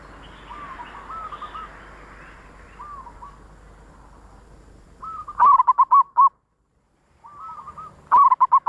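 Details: Zebra dove voice for luring wild doves: gentle rolling coo phrases, then loud bursts of quick staccato cooing notes with a brief silence between them.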